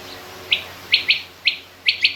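Female rain quail calling: six short, high, scratchy chirps, some in quick pairs, about every half second, over a faint steady hiss.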